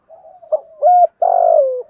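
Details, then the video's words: Spotted dove used as a decoy to goad a rival: faint low murmurs lead into a clipped note, a steady held coo and a long, rough, slowly falling coo. "chim cu gay kich boi nhanh noi, cu mồi thúc gù , gáy gọi, kích bổi gáy lại luân"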